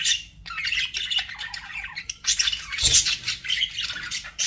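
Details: Domestic budgerigars in continuous scratchy chatter, warbling squeaks and harsh chirps layered together, with one low knock partway through.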